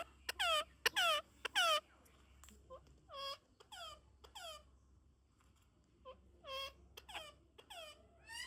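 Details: Parrot giving a series of shrill, squeaky, downward-sliding calls, some in quick bursts and others spaced about a second apart, over a quiet background hum.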